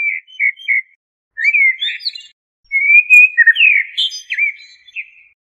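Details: A common blackbird (Turdus merula) delivers separate song phrases: short soft whistles, then a rich warble rising into a thin squeak, and a longer fluty, sliding phrase with high twittered notes.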